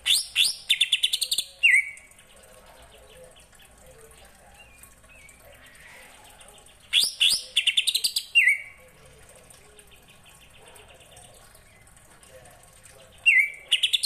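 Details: Greater green leafbird song with kapas tembak filling: three bursts of fast, high chattering notes, each ending in a clear downslurred whistle, separated by long quiet pauses.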